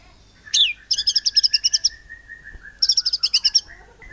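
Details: Caged white-rumped shama, a 'nembak cungkok' singer from Cililin, Indonesia, used to provoke other birds into singing: rapid runs of sharp high chips, with a long steady whistled tone running beneath them, then a final upswept note.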